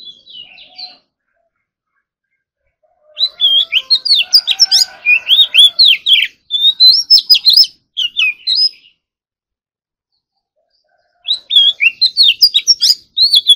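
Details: Oriental magpie-robin rehearsing its competition song in the morning, full of rich fill phrases: long bursts of fast, varied whistles, chips and slurred notes separated by silent gaps, with a soft lower warble beneath one burst.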